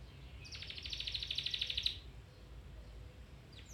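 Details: Domestic canary song played to train a canary to sing again or improve its song: a fast, even trill of bright repeated notes lasting about one and a half seconds, then quieter background with a soft hiss.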